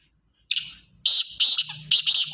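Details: Black francolin voice: a long buzzy opening note, then three loud harsh doubled bursts in steady rhythm, with a faint low hum underneath.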